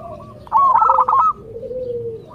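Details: Local zebra dove song meant to prompt other zebra doves to answer: one rapid stuttering, trilled coo phrase lasting under a second, with a softer lower coo trailing after.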